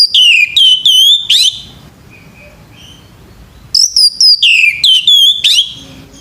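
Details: Morning song of a male orange-headed thrush: two clusters of high, clear whistles with rapid sliding and trilled notes, separated by about two seconds of quiet with faint soft notes.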